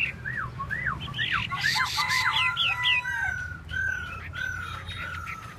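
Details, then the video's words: Chinese hwamei (hoa mi) in tail display, giving a series of looping whistled slurs that then settle into long, drawn-out level whistles repeated several times. "Hoa mi mua duoi"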